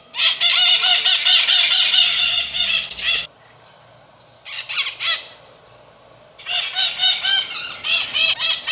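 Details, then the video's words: Maritacas screeching in two intense bursts of dense, grating squawks separated by a quieter stretch of softer calls, the noise shrill and piercing. "MARITACA CANTANDO"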